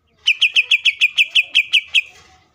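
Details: Greater green leafbird delivering a provoking song meant to make other leafbirds sing, eleven crisp, identical whistled notes in a steady run of about six per second, then silence.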